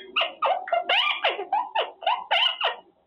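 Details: Caged male Quaker parrot practising words during cage time, giving a quick string of about ten raspy, speech-like syllables, each a short harsh burst with wavering pitch.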